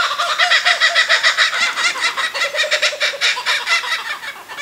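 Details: Kookaburras calling: a loud, rapid run of harsh, chuckling notes, about two or three a second, rising and falling in a rolling cackle that fills the whole stretch, with no other clear sounds.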